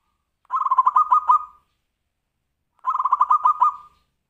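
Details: Zebra dove singing in the Tumpang Sari song style, used to prompt other birds to sing: two rapid bursts of bubbling, pulsed coos about two seconds apart, each lasting about a second and ending in a short trill. The background is silent.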